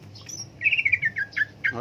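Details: Cucak ijo leafbird giving a quick series of bright whistled notes that slur downward, followed by a brief pause and a final rising note with harsh noise.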